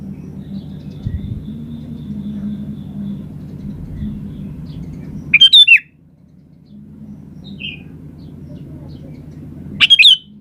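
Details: Sooty-headed bulbul singing vigorously: two brief bubbly whistled phrases about four and a half seconds apart, separated by a low droning hum and a faint distant note.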